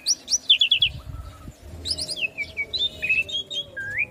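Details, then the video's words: Training song of the Asian pied starling for young birds: a fast run of high chirps, a low flat whistle, then scattered warbled and slurred notes over faint low rumbling. "Pancingan Jalak Suren Macet Bunyi / Masteran Jalak Suren Muda Agar Cepat Masuk Materi Mudah Di Tiru"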